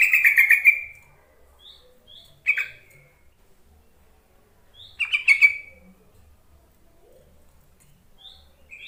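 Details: Calling Yellow-vented bulbul played to get lazy, newly caught caged bulbuls singing: three bubbly, chattering bursts spaced a few seconds apart, with faint high chips between them.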